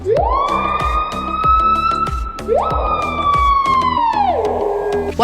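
Two loud, ringing whistles from a screaming piha, each swooping sharply upward and holding high, the second falling away at the end, over rhythmic background music.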